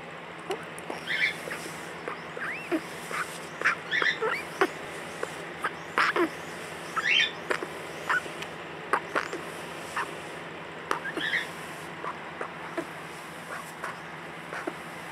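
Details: A hand-raised crow, released but too tame, unable to fend for itself and rejected by other crows, now in a rescue, gives short, high squeaks and chirps like a guinea pig; its voice sounds very hoarse.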